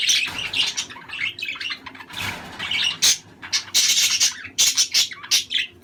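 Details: Budgerigars chatter in a dense stream of high warbles, chirps and squeaky notes, played to stimulate mating; said to be played an hour each morning and evening to prompt even long-inactive pairs to breed.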